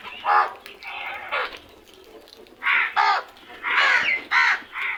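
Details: Loud, really smart crows giving a steady string of harsh, grating caws, some drawn out, in quick succession with only a short pause midway.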